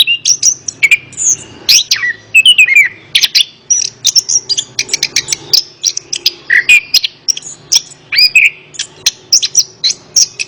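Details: A long run of orange-headed thrush song meant as therapy for a reluctant singer. Rapid, varied whistles, twittering notes and slurred phrases pour out almost without pause, with a faint low hum beneath.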